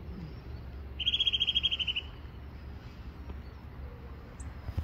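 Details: Eurasian nuthatch (Sitta europaea) song: one fast, even trill of about a dozen clear piping notes in a second, over a low background rumble.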